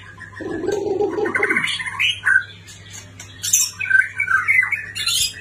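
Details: White-rumped shama from a neighbouring country: a low raspy note gives way to whistled, warbling phrases and high chirps, with some squawky notes mixed in.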